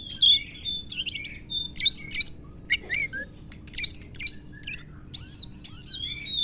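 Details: Oriental magpie-robin (kacer) singing a lovebird-imitation fill: bursts of sharp high whistles and dense chattering trills, several rising and falling notes, with short gaps between phrases; a faint steady low hum underneath.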